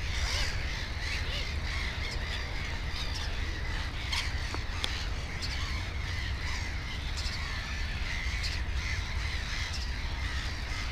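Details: Black-headed gull colony on 15 May 2016, by a nest with two chicks: rasping calls from several birds repeated continuously over a strong low-pitched rumble.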